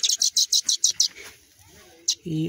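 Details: Fallen sparrow chicks about to be moved to a new nest: a rapid run of about eight loud, high chirps, then a single chirp, as a man begins speaking.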